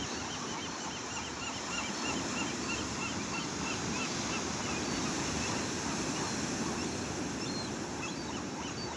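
A crowd of gulls calls over and over, short harsh cries overlapping several times a second, against a steady roar of surf and wind.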